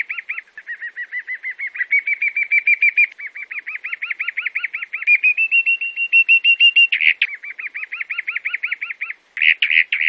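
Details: Chalk-browed mockingbird (sabiá-do-campo) from Brazil singing clean, fast series of repeated chirping notes, about three per second. Each series shifts to a new pitch, with a louder harsh burst midway and a brief pause near the end.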